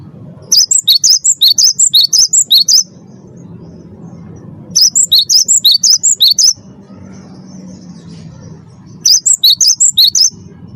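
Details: Cinereous tit of the 'wingko' type, a first-place champion, singing as a lure to prompt captive birds; three bursts of rapid, high, piercing chirps, each about two seconds long, with roughly two-second pauses between them.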